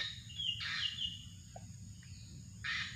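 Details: Drongo calls used for bird luring: a harsh, broadband burst dropping into a buzzy note, a short quiet pause with a faint low chip, then a second harsh burst, over a steady high insect drone and low rumble.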